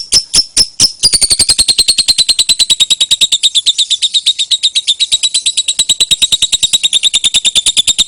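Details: Lovebird long ngekek chatter meant for luring and tutoring songbirds; a few separate sharp ticks, then an unbroken, rapid run of high, rasping pulses for the rest of the clip.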